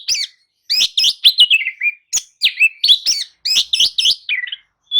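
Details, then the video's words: Oriental magpie-robin singing a lure song for stimulating a sluggish kacer, with quick series of warbled, looping whistles, several notes repeated in tight clusters, and a clear high whistle at the end. "kicau pancingan kacer atasi kacer loyo! jelas nyaut dan gacor"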